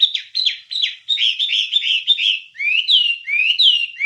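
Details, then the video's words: Wambie song used to train songbirds: a fast series of chirped, warbling notes runs into longer, rising whistled slurs repeated at a steady pace. "Ocehan Suara Burung Wambie"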